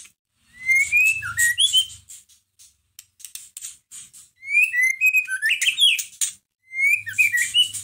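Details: White-rumped shama kept in a cage, song used to provoke another caged shama into singing, delivered as loud whistled phrases sweeping upward, with quick high chirps and scratchy notes in bursts separated by short gaps.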